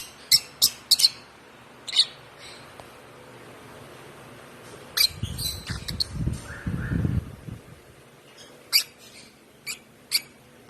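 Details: Hand-fed one-month-old African lovebird chick, fed by hand since two weeks of age, giving scattered sharp high chirps, a few in quick pairs, with a spell of low rumbling handling noise in the middle.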